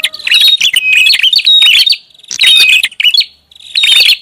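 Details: Lure call of a prinia: a long run of excited chirps and thin whistled notes, then shorter twittering bursts after a pause.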